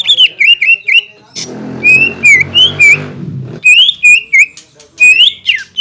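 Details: Green leafbird song, said to carry imitations of kingfisher, magpie-robin and shama, played to stir rivals into singing: clusters of bright whistled slurs, interrupted midway by a low rumbling background noise under a few whistles.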